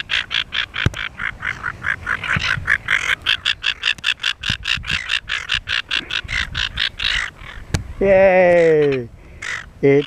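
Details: Silver gull, one of a pair mating on Penguin Island off Shoalwater, Rockingham, gives a long run of harsh, rapid, rasping notes, about four a second. A person's voice breaks in with a drawn-out exclamation near the end.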